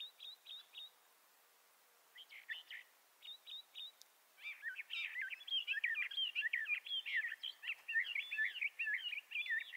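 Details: Bendire's thrasher (Toxostoma bendirei) of the southwestern United States and northwestern Mexico singing: a few short dry rattled notes, then a long continuous warbled run of varied chirps and whistles.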